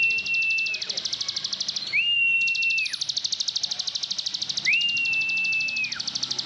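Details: Nonstop ngebren singing of an Indonesian plain prinia (ciblek sawah): a steady, high, insect-like pulsed buzz, with three prolonged level whistles that rise sharply at onset and fall at the end.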